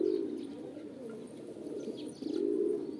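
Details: Pigeon (kabutar) giving a described mating call: low, throaty cooing rolls, loudest at the start and again near the end, with faint higher chirps of small birds in the background.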